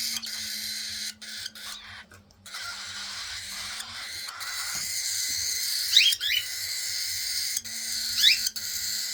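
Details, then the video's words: Baby cockatiels begging at feeding time: a steady, raspy high hiss runs throughout, broken by two short, sharp rising chirps late on, over a faint low hum. "baby cockatiel feeding time"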